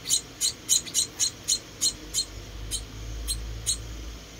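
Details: Rescued munia chick, one of four being hand-fed, giving sharp high chirps about three per second, then fainter, sparser calls over a low hum.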